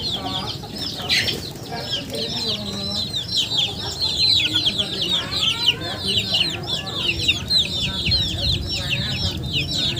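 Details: Dense flock chatter from chickens: continuous high, downward-slurred peeps from many birds, a louder burst near the start, with low murmuring noise beneath.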